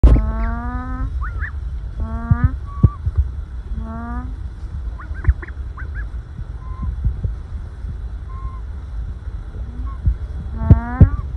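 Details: Calm, contented ducklings resting together in a pile, some in sun and some in shade, giving soft rising calls in short bursts of several notes. They come in irregular clusters over a steady low rumble of background noise.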